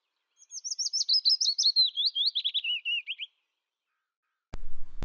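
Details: A willow warbler sings one complete phrase, a run of clear, gentle whistled notes starting high and falling step by step in pitch over about three seconds, followed by a short burst of noise.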